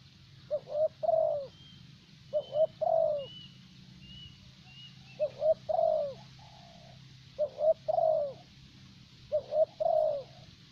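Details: Spotted dove used as a lure bird in Vietnam, the favoured thổ bầu type, cooing steadily through five phrases about two seconds apart, each two quick hoots and a drawn-out mellow falling note, with faint chirps in the distance.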